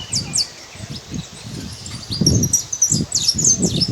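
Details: Saffron finch living free in nature: a few sharp high chirps, then a brief flurry of thin twittering notes, over low gusty rumbling.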